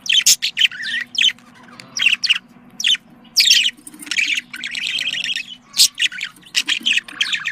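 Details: Budgerigars, small long-tailed parrots native to Australia, kept as pets; sounds said to stimulate mating. Bursts of bright chirps and harsh squawks interspersed with warbling chatter, with a faint low hum underneath.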